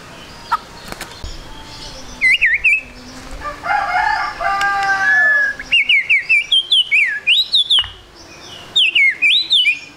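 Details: White-rumped shama singing, played as a lure to prompt quick singing: scattered whistles, then dense bursts of looping, rising and falling whistled notes with brief sharp clicks, while a harsh drawn-out crowing sound runs through the middle.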